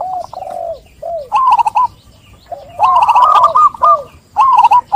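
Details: Zebra dove song: low drawn coos followed by rapid, bouncing, trilled phrases of rolling notes. Overlapping voices suggest several birds.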